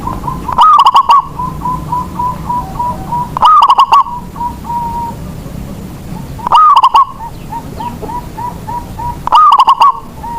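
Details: Local Indonesian zebra dove singing to spur other doves into song: a loud rising coo followed by rapid staccato knocking notes, the phrase repeated about every three seconds over quieter cooing from other doves in the background.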